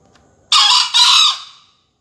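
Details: Green junglefowl crow from a contest entry in Surabaya, recorded in the early morning on 28 February: a short raspy opening syllable, then a longer harsh syllable that trails away into quiet.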